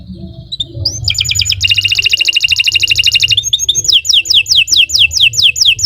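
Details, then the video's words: Canary song, long and lively, intended to prompt other canaries to sing: a few rising notes, a fast bright rattling trill, then a string of clear descending whistles repeated roughly twice a second. "Kicau Burung Kenari 148 II LUAR BIASA GACOR PANJANG Cocok untuk Masteran"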